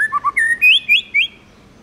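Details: White-rumped shama, a tamed bird, delivering wild-forest style song: a few quick low whistles followed by bright, sliding whistled phrases that climb in pitch, then fall silent.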